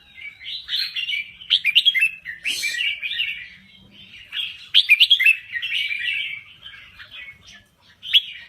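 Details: Thai red-whiskered bulbul singing: two long runs of mellow, bubbling whistled warbles with sliding notes, a brief pause between them, and a short phrase to close.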